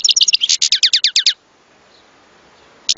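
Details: European goldfinch song: a quick run of bright, high twittering notes, some falling slurs, repeated rapidly for over a second, then a quiet pause before a brief buzzy burst resumes.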